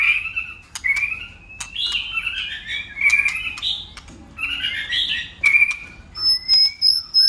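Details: White-rumped shama singing in a contest, flicking its tail and switching voices constantly: varied whistled and warbled phrases between mid and high pitch, with sharp clicks and brief sustained high notes near the end.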